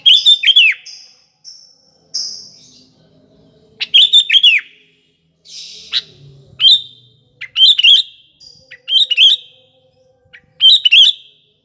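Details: Sooty-headed bulbul singing steadily, a recording used as a lure for morning, afternoon and night: bright chirpy bubbling phrases repeated every second or so, with faint low rumbling and hum underneath.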